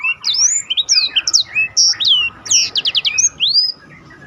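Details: Black-throated canary song used to train competition birds: fast chain of upward whistled slurs, short trills and a quick run of repeated notes, loud and clear.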